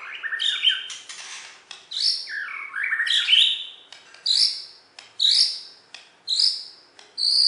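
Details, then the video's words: Singing white-rumped shama of the Borneo form, a West Kalimantan champion, delivering varied warbled phrases that give way to a high, clear whistled note repeated roughly every second, with sharp clicks between the phrases. "Video Burung Murai Batu Borneo Juara Di KalBar"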